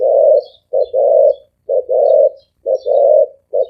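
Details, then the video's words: Spotted dove cooing rapidly in thổ ồm vang gáy gù style: a steady cycle of one short coo followed by a long, rich, hollow coo, repeated about every second, with faint distant bird chirps behind. "Tiếng chim cu gáy thổ ồm vang gáy gù siêu tốc siêu nhanh"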